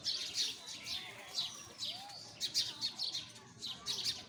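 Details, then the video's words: Chorus of sparrows giving bright, clipped chirps in uneven bursts, with one short lower upward-curving whistle in the middle. "Listen the voice of sparrow"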